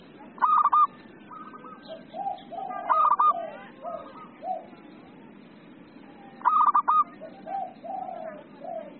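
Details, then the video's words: Zebra dove (perkutut) singing 'emosi', the agitated style: loud, rattling, stuttered coo phrases, each trailed by softer echo phrases and low, mellow coos, repeat three times. "SUARA PERKUTUT EMOSI"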